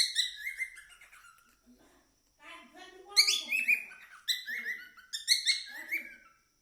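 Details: Pet cockatiel song with loud whistled chirps and rising sweeps in rapid clusters, broken by a brief pause and softer low warbling, then more bright chattering phrases.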